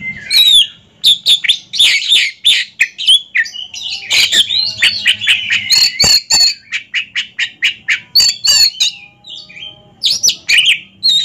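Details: Two caged ringed Oriental magpie-robins compete in a singing duel, pouring out fast, dense chatter of clicks, squawks and high whistles in quick bursts, barely pausing.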